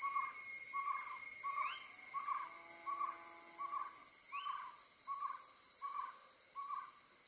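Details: Owl calls recorded while an owlet is being fed: a series of short, hoarse mid-pitched notes repeated roughly every half second, with occasional higher rising squeaks and a steady high-pitched insect-like whine running throughout.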